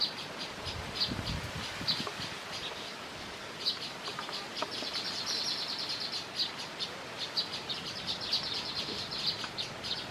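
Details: Baya weaver adults and chicks chatter in rapid, high, thin chirps and buzzy twitters, many birds overlapping over a steady background hiss.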